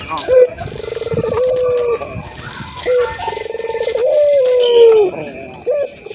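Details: Ringed turtle dove, a local bird in frequent voice, played to prompt other doves to coo: low purring coos with a rolling, trilled start, each note held and gently falling, given in a series of about four phrases.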